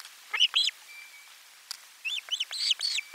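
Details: On 12 July 2022 an Osprey calls from its nest around a lunchtime fish delivery: two ringing whistled chirps, a pause with a faint steady tone, then a rapid string of five or six arched yelps.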